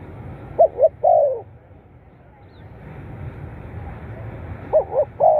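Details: Spotted dove calls, played to stimulate captive birds: two cooing phrases, each two short quick notes then a longer downslurred coo, separated by a steady low background rumble.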